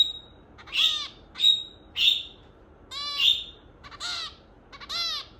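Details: Pet zebra finch, kept for about half a year since being brought home, giving short nasal, honking calls with rich stacked overtones, about seven calls in five and a half seconds at uneven intervals, over a quiet background.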